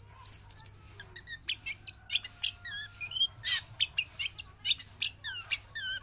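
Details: Javan long-tailed shrike, a trained bird singing without pause in and out of its cage, delivering a rich, varied medley of high twittering trills, rapid warbled runs and sharp chirps, over a low steady hum.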